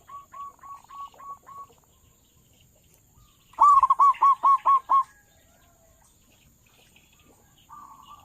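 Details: Local zebra dove, a loud-voiced bird used as a lure by dove trappers: a soft run of six quick coos, then a loud burst of about seven rolling, evenly spaced notes, with a faint steady high hiss behind.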